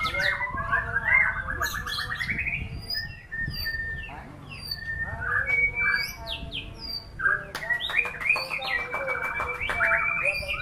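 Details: White-rumped shama singing a rising trill, then a pause before varied whistles, sharp high notes and a final busy stretch of mixed chirps and sustained tones.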